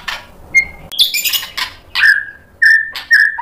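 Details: White-rumped shama answering a rival: scratchy harsh bursts mixed with short pure whistles, three clear flat whistles near the end separated by rasping clicks.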